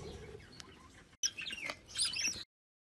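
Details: Young wild budgerigars, offspring of a free-living flock at Glindow near Werder (Havel), Germany, give a burst of high, scratchy chirps and squeaky twitters overlapping for about a second, after a short stretch of quiet background hiss.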